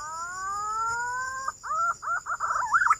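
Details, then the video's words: Green pigeon call used as a hunting lure: a long steady whistled note with harmonics, then a series of wavering, warbling whistled notes climbing in pitch, over a constant high electronic tone. "Suara burung Punai"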